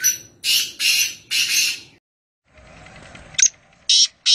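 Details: Harsh, buzzy call of a wild black francolin at Nawabshah: four loud grating notes in a steady run, then after a short gap a sharp click and two more clipped rasping notes.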